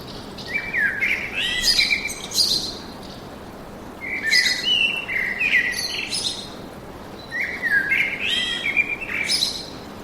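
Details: Bird song in a forest: three rich, warbling phrases of whistled and twittering notes sweeping from mid to very high pitch, each lasting about two seconds and returning roughly every three seconds.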